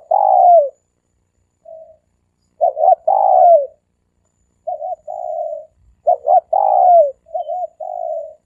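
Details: Repeated three-coo phrases of a dove, used to lure birds in quickly: a double stutter note, a long falling coo and softer flat coos. The sequence recurs several times in a clean recording.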